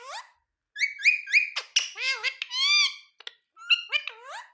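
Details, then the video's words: Talking ringneck parrot producing a quick string of word-like syllables, some whistled and level, others falling and rising in pitch, with short squawky bursts between phrases. "Ringneck Parrot Berbicara"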